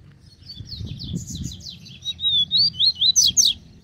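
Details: Free-flying wild double-collared seedeater coming out of the grass toward a caged bird, delivering a fast, high, sweet song of slurred whistles and chirps that grows louder toward the end over faint low rumble.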